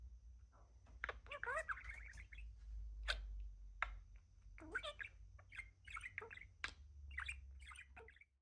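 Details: A talking pet budgerigar chatters in fast, scratchy warbling phrases with sharp clicks and short whistled notes, possibly imitating words like "Happy Sunshine" and "You're Awesome", over a low background hum.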